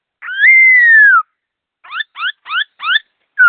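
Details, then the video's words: Laughingthrush giving quick, clear song: a long sustained whistle sliding gently downward, then four short rising whistled notes in quick succession, then another falling whistle beginning, with nothing else audible. "Suab sab fwj quaj zoo nrov zoo"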